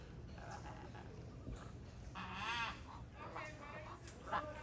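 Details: Macaw at Gumbalimba Park, Roatan, Honduras, in November 2022 gives a loud, harsh squawk with a couple of shorter raspy calls, over a murmur of human voices and background hum.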